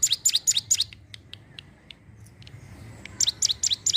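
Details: Sunda warbler (ciblek gunung) used to draw in wild birds: a burst of quick high chirps, then a lull with a few soft ticks, then another fast chirping burst.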